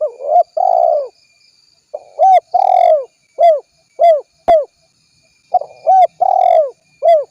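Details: Spotted dove cooing, used as a lure: low arched coos, some drawn out and rolling, others short and clipped, delivered in uneven runs with brief pauses, with faint high ticks in the background.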